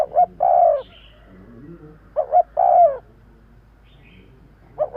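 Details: Spotted dove calling, used to attract birds: repeated three-part coos, two short notes then a longer descending one, roughly every two seconds, with the next phrase starting at the end.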